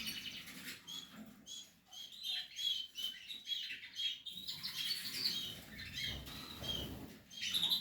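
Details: Portuguese harlequin canary nestlings producing a dense stream of high scratchy chirps and squeaks, with brief pauses and some low rustling in the background.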